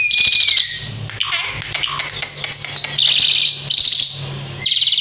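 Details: Caged Asian pied starling in full, vigorous song, used for tutoring other birds: loud harsh, rasping chatter bursts alternating with thin sliding whistles and short chirps, in repeated phrases every second or so, with a faint low hum behind.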